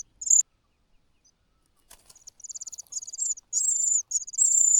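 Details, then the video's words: Cuckoo chick in a host nest begging loudly from hunger after the host's own young have been fed: very high, thin, hissing trills that build from soft stutters into long shrill bursts. "the cuckoo cries loudly out of hunger.亲生的小鸟都吃饱了，杜鹃鸟饿得吱吱叫"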